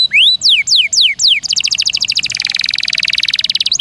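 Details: Canary song for training songbirds: a rising whistle and four loud downward sweeping notes, then a fast, dense trill of high clipped notes.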